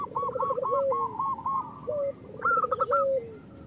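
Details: Local zebra dove song, played to coax reluctant caged perkutut into calling: a brisk run of quick staccato coos ending in a drawn-out lower note, then a short gap and another rippling phrase, with faint background hiss.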